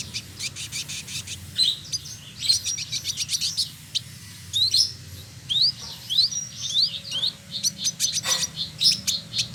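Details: Caged male village indigobird from Bandung, West Java, Indonesia, pours out a lively song of high chattering notes interwoven with upslurred whistles, dense and continuous, with a faint low hum beneath.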